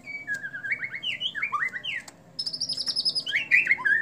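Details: White-rumped shama performing its bowing display, singing a series of clear whistled phrases that rise and fall, followed by higher, sweet trilled notes.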